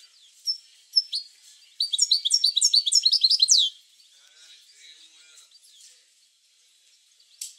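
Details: Caged European goldfinch song used to stimulate other goldfinches to sing: a dense burst of rapid, high tinkling twittered notes lasting under two seconds, preceded and followed by a few scattered chirps.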